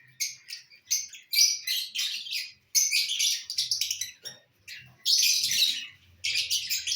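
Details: Lovebirds feeding on corn, with loud, high, buzzy chirping bursts broken by short pauses, and a few faint low thuds.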